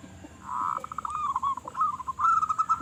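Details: Local zebra dove with a loud voice, offered as a lure call: a fast pulsed coo trill running steadily over a hissy, noisy background, rising slightly at the end.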